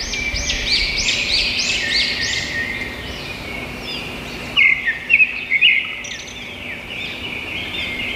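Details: Morning bird calls, a run of bright repeated chirps early on, then a burst of sharper twittering notes near the middle, set against continuous soft hiss.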